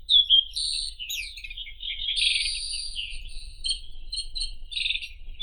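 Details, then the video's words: A white-throated robin (Irania gutturalis) sings a sliding whistle, then sustained buzzy phrases and quick repeated chips, against a low steady rumble. "Голоса птиц Как поёт Соловей белошейка (Irania gutturalis)"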